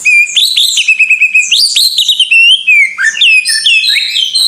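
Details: Greater green leafbird singing in full 'gacor' style: loud, clear whistled phrases that slide up and down, with sharp chirps and rapid warbled runs in a continuous varied stream.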